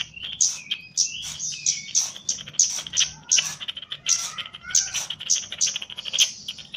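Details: Trained Javan chestnut-capped thrush singing continuously, a lively, fast stream of shrill ringing notes, buzzy trills and short slurred whistles repeated in quick succession.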